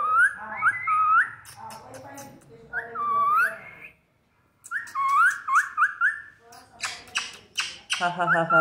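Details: Pet parrot, called mithu, talking with its owner: bright whistled notes that rise and fall in quick runs, a brief silence, then more whistles and harsh chattering bursts, with human voices and laughter nearby.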